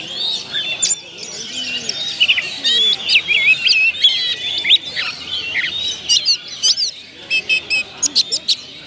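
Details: Oriental magpie-robin (kacer) in song, a dense run of varied whistles, trills and quick chirps, with bursts of sharp high notes; faint low background sounds underneath.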